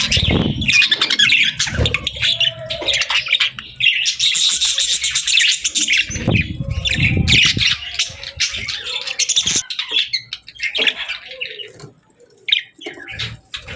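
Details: Budgerigar chirping in a busy mix of warbling chatter, scratchy squawks and quick trills that swell and fade, quieter toward the end.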